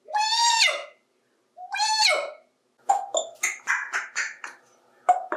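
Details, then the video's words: Adopted 28-year-old male African Grey parrot playing with toys in a bathtub: two drawn-out arched "Hi" greetings in a mimicked voice, followed by a quick jumble of clicks and chattering syllables. "Bird Talks to Toys"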